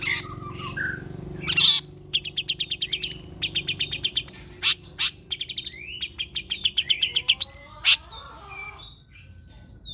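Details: Long-tailed shrike song used as a lure for other shrikes: a rapid, varied medley of chattering trills, sharp ticks and short whistles with occasional harsh bursts, steady low noise beneath.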